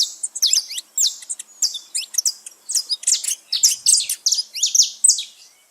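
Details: Group of free-living saffron finches in nature: rapid, overlapping high-pitched chirps and twittering notes in quick bursts, several birds calling at once without pause.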